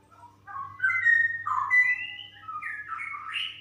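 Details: Female straw-headed bulbul in a bubbling run of liquid whistled phrases rising and falling, growing louder in the middle, over a faint low hum.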